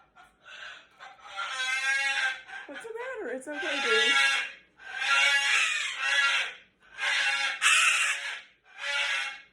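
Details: Pet cockatoo indoors screaming after pulling its owner's glasses off, setting other pet birds screaming too: harsh, drawn-out raucous screeches repeated every second or two, with a woman's soothing voice talking over them.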